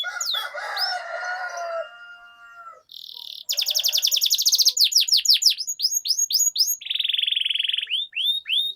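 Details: Canary song from a recording meant to coax canaries into singing: a softer mixed warble opens, then a brief buzz, rapid high trills and chains of downswept whistles, ending in a bright buzzy roll and a couple of falling notes.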